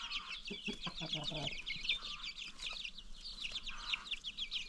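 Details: A free-range flock of farm chickens with new chicks: shrill peeping chatter throughout, with a run of low, rhythmic clucks in the first one and a half seconds.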